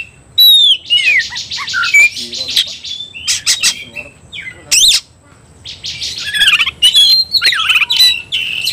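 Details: Provoked to fight, an Oriental magpie-robin delivers varied high song: falling whistled slurs, raspy buzzing runs, abrupt sharp notes and a burst of fast rising-falling trills near the end.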